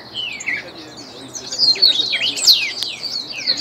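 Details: Trained Ultramarine Grosbeak (reinamora) singing: quick, high warbled phrases of sliding, twisting whistled notes, growing louder and denser in the second half, over a faint background hum.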